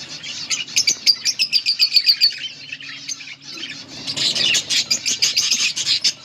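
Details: Yellow budgie pair chattering: quick runs of sharp, ticking chirps for two seconds, a brief lull, then a dense, scratchy warble of overlapping chirps.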